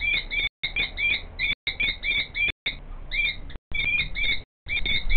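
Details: Common kestrel female screeching as the male works a nest scrape nearby: bursts of shrill, harsh, downward-slurred notes in quick succession, broken by short pauses, with a low hum underneath.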